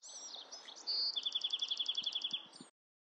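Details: Bewick's wren singing a short, high whistle then a quick, evenly repeated trill of bright notes, with softer chirps of other birds before it and a brief high note after.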